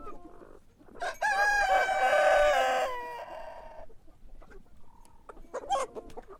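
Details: Rooster crow in the morning, loud and raspy, a brief upswing into a sustained, harmonically rich note lasting about two seconds, with fainter clucking and scattered noises afterward.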